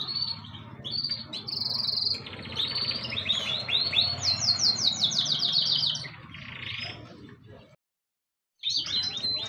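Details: Pet birds chirping steadily, with high sharp tweets, short whistled notes and a quick run of repeated down-slurred chirps in the middle, over a low background hum, then a brief silence before the chirping resumes.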